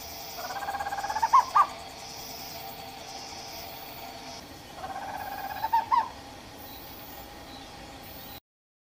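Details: Owl calling in two bursts about four seconds apart, each a rising, wavering series of notes ending in sharp accented peaks, over a steady tonal background hum.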